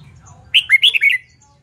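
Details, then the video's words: Red-whiskered bulbul competition song, used to train birds to sing: one quick warbled phrase of four or five bright, slurred whistled notes, rising and falling, lasting about half a second, against a quiet low hum. "LUYỆN CHÀO MÀO HÓT ĐẤU/ BỔI NHANH MỞ MỎ SỔ GIỌNG/ CHÀO MÀO HÓT VUI MỖI NGÀY"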